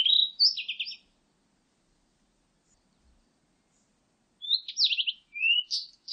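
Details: Blue-and-white flycatcher song in two bursts separated by a pause of about three seconds: whistled notes followed by rapid buzzy trilled notes, with upward-sliding whistles in the second burst.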